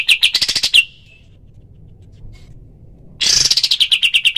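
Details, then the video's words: Fast, sharp repeated notes of a cotton pygmy goose, recorded to train other birds, cut by about two seconds of near silence, then resuming in a loud dense burst that settles into quick even repeats. "masteran kapas tembak full tembakan suara asli dan jernih"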